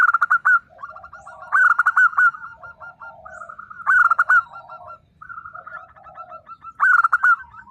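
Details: A local zebra dove delivers loud, repeated bursts of sharp stuttering notes followed by rapid, lower trilled coos, with the pattern recurring roughly every two to three seconds.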